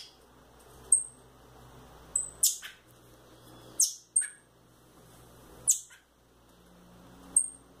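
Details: Young Rufous-bellied thrush chicks, a male and a female, loose in a house, give thin, very high single peeps at irregular intervals, with a few harsh raspy squawks over a faint low hum.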